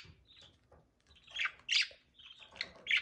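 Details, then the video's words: Budgie pair around mating, heard as sparse rasping chirps and a couple of louder squawky notes over a soft low background hum. "budgie mating"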